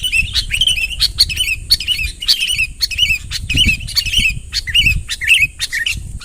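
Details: Sooty-headed bulbul giving rival-luring calls in natural voice: harsh, bubbly chirps repeated about twice a second in a steady rhythm, over low rumbling background noise.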